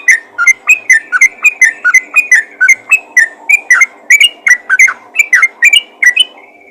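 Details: Energetic yellow-vented bulbul calling other bulbuls with a steady, unbroken stream of short, clear whistled notes, rising and falling, about three each second for the whole stretch.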